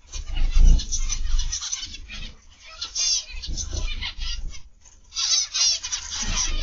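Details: Several zebra finches in an aviary give high, nasal chattering calls in uneven bursts separated by short gaps, over low-pitched rumbling background noise.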